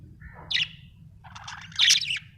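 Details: Pet budgerigar chirping: a short rising whistle and squeaky note, a brief pause, then a longer buzzy warbling chatter ending in a loud harsh chirp, with a faint steady low hum.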